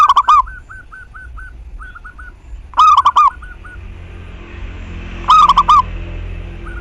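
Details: Zebra dove song used to get other doves singing: loud four-note cooing phrases about every two and a half seconds, with a fainter dove answering in short repeated coos between them.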